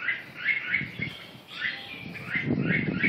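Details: Red-whiskered bulbul repeating quick chirpy whistled notes several times a second, forming bubbling phrases, with low thumping and rustling noises underneath toward the end.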